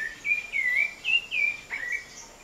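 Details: A wild thrush (sabiá) in a residential backyard sings slow drawn-out whistled phrases that waver and bend, separated by brief pauses, with a constant faint high background tone.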